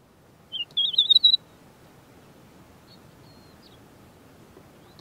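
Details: A Large-billed Lark (Galerida magnirostris) in the Karoo gives one quick phrase of its loud, fluty song of high warbled whistles lasting under a second, followed by a few faint thin notes over a soft rural hum.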